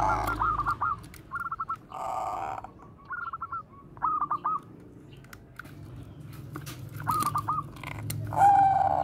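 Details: Koar-koar cooing of a Bangkok zebra dove, a song used to lure other doves: short bursts of rapid, clipped notes with pauses, closing with a longer, clear whistled coo; faint rustling between phrases.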